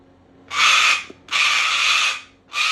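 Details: A female pet cockatoo showing she is mad gives three harsh, raspy screeches, each about half a second to a second long, separated by short pauses. Nothing else is heard.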